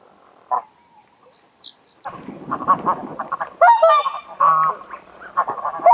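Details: Greylag goose: one lone honk, then after a pause a burst of overlapping nasal, harsh honks and cackling from several birds, with a low rumbling murmur beneath.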